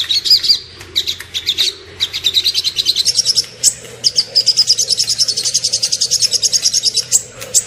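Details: Masteran recording in tembakan style: a small bird's high notes start spaced and uneven, then settle into a long, fast, regular series of clipped chirps.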